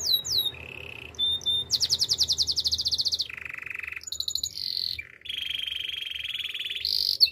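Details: Canary singing a training song in tours: a short flat whistle, a fast buzzy rattle of very rapid repeated notes, a lower steady rolling note, then high bell-like trills and a long sustained whistled roll.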